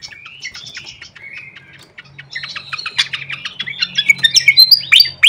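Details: Fantail flycatcher lure call used as tutoring material: soft whistled phrases and buzzy notes at first, then a dense, rising flurry of rapid chirps and high sweeping whistles.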